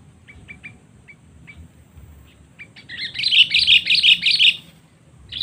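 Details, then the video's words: Sooty-headed bulbul calling rivals with a 'cengkram' lure: faint scattered ticking notes build into a loud, rapid, pulsing chatter of about eight harsh notes, then a final sharp burst. "Pikat Kutilang Cengkram Memanggil Musuh Terkuat Sepanjang Masa"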